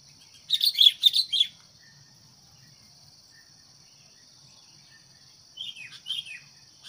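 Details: Sooty-headed bulbul used as a decoy to provoke wild birds, giving three loud chirpy bursts, a long quiet gap, then a few softer answering chirps, with a steady insect buzz throughout.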